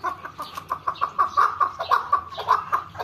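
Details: A farm-raised chukar partridge (chakor) gives a rapid run of harsh, clucking chuk notes, about five per second, steady in pitch, with a faint background murmur.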